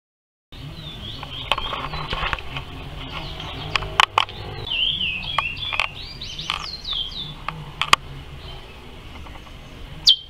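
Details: Chestnut-bellied seed finch (curió) singing in the praia style: sliding whistled notes that rise and fall, with sharp clicks scattered through and a steady low hum beneath.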